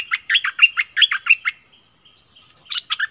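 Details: Streak-eared bulbul used as a decoy, giving a quick series of bubbly chirped notes, then a pause with a faint thin whistle, then a final short burst of chatter.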